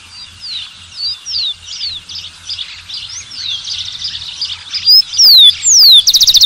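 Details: Dense chatter of many birds fills most of the recording before a rufous-collared sparrow breaks in near the end with two or three loud down-slurred whistles and the start of a rapid trill.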